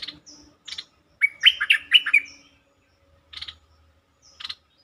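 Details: Bulbul lure song meant to excite birds: brief raspy chirps, then one loud, bubbling, warbled phrase of quick slurred notes, and later more short scratchy chirps.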